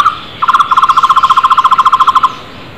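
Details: Flame-fronted barbet calling loudly in the wild: a brief opening note, then a fast, even run of hollow, mid-pitched pulses, about twenty in steady rhythm, before fading to quiet background.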